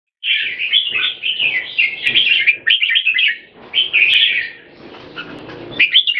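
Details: Two equally matched red-whiskered bulbuls sing in controlled aggression, each trying to dominate the other in the butir style by singing as often as possible; dense, rapid chattering warbles in overlapping bursts, with brief pauses between phrases.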